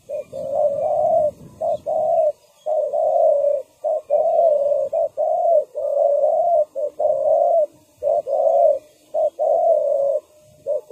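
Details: Trapping decoy spotted dove calling on the ground to bring in wild birds. A long series of deep, rolling coos runs almost continuously, opening over low rumbling noise.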